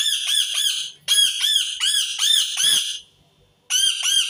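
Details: Loud, raspy screams of an Indian ringneck parakeet in irregular clusters of rapid squawks, broken by short gaps and one longer pause before a final burst.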